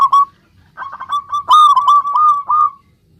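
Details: Singing local zebra dove, played to stir other zebra doves into answering: a brief loud pair of notes, then a rolling, slurred string of cooing notes rising in volume.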